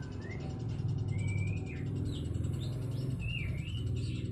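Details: Young magpie-robin, just past its spotted juvenile stage, practising early twittering song: thin sliding whistles near mid-high pitch, some rising and some falling, spaced irregularly over a steady low hum.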